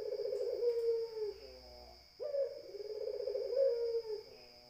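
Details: Puter dove's coo: a long wavering low purr falling at the close, then after a short pause another phrase beginning sharply and rolling on; thin high hum persists throughout.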